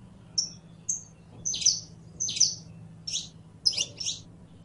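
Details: Singing Saffron finch, the canario criollo, alternating short thin whistles with harsh high chirps at an uneven pace, roughly eighty notes a minute, a low hum behind.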